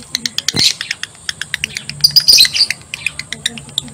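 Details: A male lovebird in high breeding condition chatters (ngekek) in sharp, high clicks and chirps, about four a second, broken by two harsher squawky bursts.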